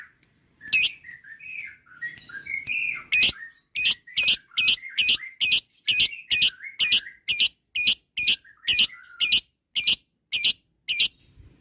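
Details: Lovebird giving a lure call to prompt long ngekek from other lovebirds: soft twittering at first, then a steady run of harsh, buzzy high notes repeated a little over twice a second.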